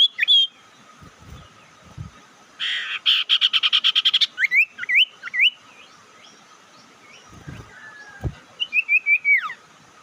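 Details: Bird lure call meant to provoke rival birds: a burst of rapid chirps, then a series of sharp rising whistled notes, and later a few descending slurred whistles, over a steady faint electronic hum.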